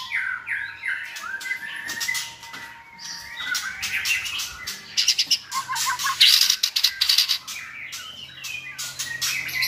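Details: White-rumped shamas with good voices sing to train a selected shama for varied clear song; whistled phrases mixed with many harsh clicks and rapid chattering bursts.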